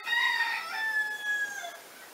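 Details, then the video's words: A rooster crows once in the countryside, a loud harmonic call that holds steady and then falls away over about two seconds. "c'est un coq qui chante"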